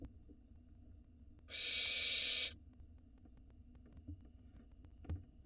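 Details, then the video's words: A single long harsh hiss from barn owl nestlings in Israel begging for food from their father, followed by quiet with faint taps. "Barn owl nestling go crazy when Dad brings nestlings for dinner"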